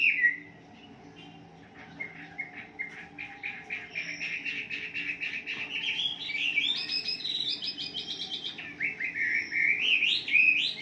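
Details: Morning lure recording of a wambi singing to prompt caged birds: a quiet opening, then a long stretch of fast repeated chirps building into loud, varied warbled phrases with sharp upward whistled slides near the end, over a faint low hum.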